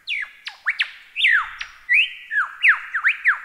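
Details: Lyrebird song of loud, pure whistled sweeps, some plunging steeply, others rising, in quick irregular succession like a theremin.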